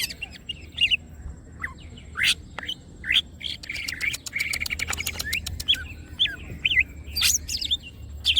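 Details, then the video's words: Lively greater green leafbird song with wings spread: a fast rattling series of clicks midway among whistled chirps and squeaky high notes, steady low background hum. "green cucak birds open wings siip and gacor materials"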